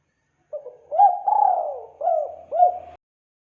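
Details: Spotted dove lure call for attracting birds: a soft short note, then a drawn-out coo sliding downward, followed by two quick falling coos, clean and unaccompanied.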